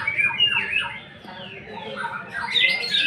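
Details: Greater green leafbird, played as a lure to provoke other birds, singing in bursts of harsh, chattering notes mixed with bright whistled phrases, swooping up and down at a quick, uneven pace.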